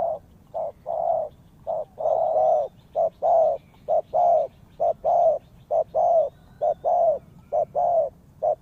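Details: Spotted dove calling as bait for trapping, a dense run of low hollow coos, short and long notes alternating steadily, about one pair per second, loud and close.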